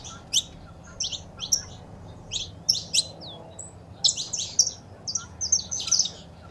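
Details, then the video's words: Saffron finch recording of female calls with a male singing, meant to stimulate a pet bird. Bright high chirps in loose clusters, roughly two or three per second, with brief gaps and a single thin upward slur. "Foguea seu Canário da Terra com Esse Piado de Fêmea e o Macho Cantando"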